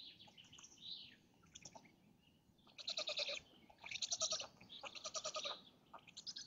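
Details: Black storks at their nest in Lodz, Poland, on a May 2017 morning as the male feeds chicks and female: a few thin descending squeals, then loud bleat-like rapid pulsed bursts, each lasting about a second, repeated steadily.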